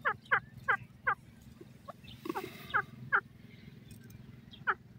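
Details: Grey francolin (bhura teetar) gives loud, sharp call notes in an uneven series, several in quick succession and then spaced out, over a steady low background hum.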